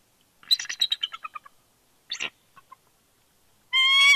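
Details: Bald eagle pair interacting at their nest in Big Bear, California, with nipping and beaking as the female asserts dominance and the male answers. A rapid run of high chirping notes falls in pitch, then a short burst and a clear harmonic whistled tone.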